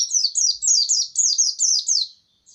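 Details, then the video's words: Rapid, continuous chain of bright, high down-slurred notes from a white-eye, roughly four per second, ending with a soft final note after a brief gap. "Video Burung Pleci"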